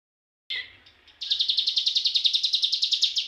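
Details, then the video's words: Young cigun learning the rapid ngebren song style: after a brief chirp, a fast machine-gun trill of about fifteen evenly spaced, high buzzy pulses runs steadily to the end. "cigun muda belajar ngebrem ak47"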